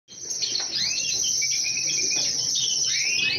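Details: Several colourful European goldfinches singing together: a dense, continuous tinkling twitter of quick high chirps and slurred notes, with rising and falling phrases overlapping throughout.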